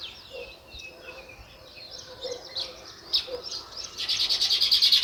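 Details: Sparrow chirping: scattered soft chirps at first, then a fast, evenly repeated run of loud chirps building up over the last second.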